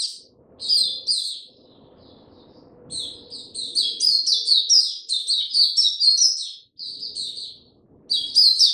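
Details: Caged Oriental white-eye, a Hercules type, in slow easy song: rapid bright high chirps and twittered phrases in bursts, with a long run of quick notes in the middle and low background hum between phrases.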